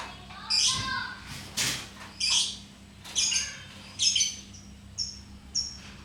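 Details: Lovebird kept as a pet giving scattered sharp, shrill squawks and short chirps, roughly one every second, plus a brief rustling flutter early on, over a low hum.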